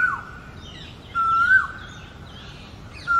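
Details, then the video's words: In India, a male Asian koel sings all day from a ficus tree in its territory before summer breeding; two strong rising whistles with a sharp falling tail, and a third note beginning, over faint background bird chatter. "An Asian Koel bird singing on the Ficus Tree | Koel bird sound | Koyal Ki Awaz"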